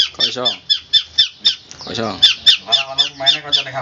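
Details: Long-tailed shrike, master recording for training birds in the crystal shot style: harsh, raspy notes repeated rapidly, about four a second, with a rough, buzzy quality.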